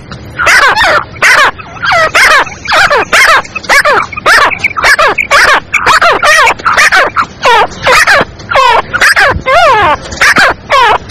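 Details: Black francolin female voice, meant to attract francolins fast and bring them into an excited mood: a steady run of loud, strained, downward-bending harmonic notes, roughly two per second, with some paired and rising.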